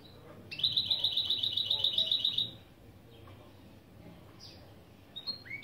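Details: Mule, a European goldfinch and canary hybrid, giving an opening song phrase used as a lesson: one bright, fast, rattling high trill lasting about two seconds, followed by quiet, then a few thin rising chirps.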